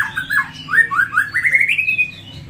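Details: Short phrase of White-rumped shama song, played as a lure for birds to answer: a string of clipped notes stepping upward in pitch, ending in a thin rising whistle.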